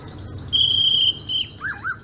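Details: Clear, level high whistle from a Sumatran greater green leafbird in ngerol style, a shorter whistle after it, then lower wavering slurred notes to finish.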